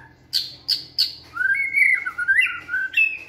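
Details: Energetic white-rumped shama in a flight cage during stamina training: three sharp clicking notes, then a long, loud, fluid whistled phrase.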